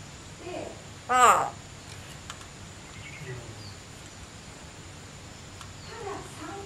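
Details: A pet common hill myna, sunbathing after a mist-spray bath on 11 December 2015, gives one loud, rich, voice-like call of about half a second, with softer murmured notes before and after in a quiet room.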